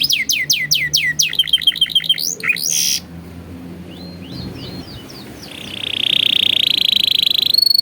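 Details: Atlantic canary singing a training song meant for young canaries: fast falling whistles, a quick chattering trill and a harsh burst, a soft pause with scattered chirps, then a loud sustained rolling tour.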